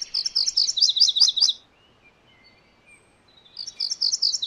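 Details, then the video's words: MacGillivray's warbler song of rapid, buzzy-bright doubled notes ends after a second and a half. Faint thin whistles follow, then another song phrase starts. "MacGillivray's Warbler Song ! MacGillivray's Warbler Sounds ! MacGillivray's Warbler Call"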